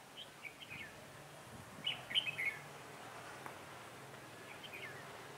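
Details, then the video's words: Red-whiskered bulbul singing as a decoy used for trapping on a cold, windy day, 16 December 2017; a short burst of bright, chirpy warbled notes near the middle, with softer scattered chirps before and after over steady background hiss. "Bẫy chào mào"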